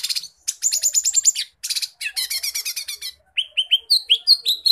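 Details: Lesser green leafbird singing a lively, prolific song full of varied fill phrases. Bursts of rapid, high, buzzy chattering notes alternate with clear whistled slurs, and a run of rising whistles comes near the end, with short pauses between phrases.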